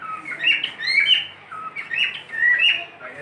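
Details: Domestic cockatiel giving a melodic whistling performance: bright warbled whistles that bend up and down, grouped into phrases of about a second. The pauses between phrases are low and quiet, and faint room noise lies beneath.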